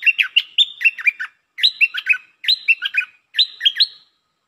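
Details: Red-whiskered bulbul (ดอกแตง type) in ลักเบิ้ล song style, delivering four bright, bouncy warbled phrases of several quick rising and falling notes each, separated by brief pauses, in a quiet setting.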